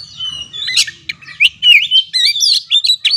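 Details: Oriental magpie-robin song used to provoke stressed birds into singing: a few soft notes, then a lively string of loud whistled slurs and quick chirps.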